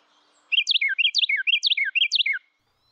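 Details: A male Carolina Wren sings a loud, rolling tea-kettle song in spring; only males sing it. It is four quick repeats of a bright, swooping whistled phrase over about two seconds, typical of eastern United States woods and backyards.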